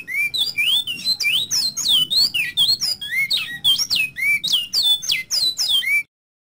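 Double-collared Seedeater pouring out a fast, unbroken run of bright, slurred whistles and chips, rising and falling, for six seconds. No other sounds.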